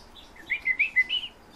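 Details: European bee-eaters, the owner's birds, giving a quick run of five rolling, liquid, trilled notes, each about a tenth of a second long, over a quiet background.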